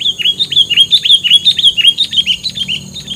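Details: Rapid, loud bird song made of fast repeated chirps, nearly two notes a second in a lively rolling stream of bright, slightly dropping whistles, used as filler song.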